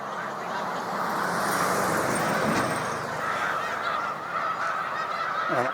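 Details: Large flocks of Snow Geese at a spring migration rest stop on Cayuga Lake, New York, 20 March 2021: a dense, continuous chorus of overlapping nasal honks, with low rumbling background noise and a brief louder disturbance midway.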